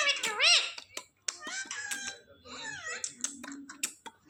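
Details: Indian ringneck parakeet, trained at home to say words, giving a loud arched squeaky syllable, then a run of reedy, wavering speech-like phrases and a low buzzy note indoors.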